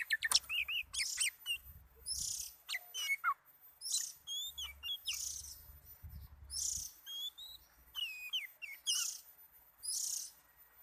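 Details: Kacer, the oriental magpie-robin, in relaxed song: lively sequences of whistled slurs and upward-sweeping notes, with quick chirps and clicks, alternating with repeated buzzy high hissing phrases.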